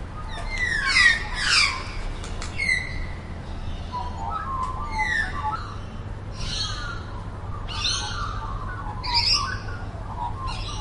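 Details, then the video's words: A wild Eurasian magpie gives harsh, rattling chatter in ragged bursts with some squawky notes, over a steady low hum. "야생동물 까치 a wild animal magpie"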